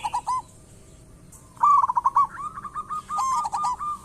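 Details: Local zebra dove (perkutut lokal) singing, used as a lure to get other doves calling: rapid trilled, cooing phrases near one pitch, a short burst then longer rolling runs of bubbly notes with brief pauses.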